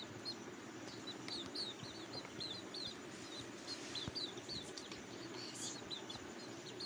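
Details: Cuckoo nestlings begging for food, very hungry: bursts of sharp, high squeaky chirps in quick succession, quiet against a constant low-pitched background hum.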